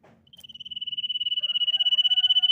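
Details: Common iora song used to coax other ioras into singing: a long, rapid, pulsing trill on one high pitch that swells steadily in loudness, with faint lower whistles underneath.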